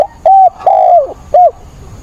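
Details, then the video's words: Decoy spotted dove in a cage, calling strongly in stormy rain on 28 October to lure wild birds. Three hollow coos, with a short note, a longer falling coo and a brief closing note, loud and close. "28/10 mưa bão cu mồi gáy càng sung, bổi già kích bổi lỡ"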